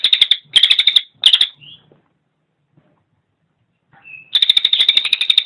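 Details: Cililin singing in short dense chattering bursts, a pause with a faint thin whistle, then a fast run of sharp repeated ticking notes resuming to the end.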